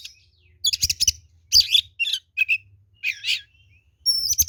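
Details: Oriental magpie-robin, a vigorous fighting song used as a lure, in short bursts of harsh buzzy notes and sharp whistles, with gaps between phrases and a faint low hum underneath.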